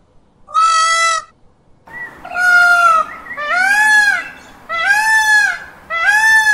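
An Indian peafowl gives five loud, nasal, wailing calls, each under a second long and coming about once a second, with later calls slightly overlapping.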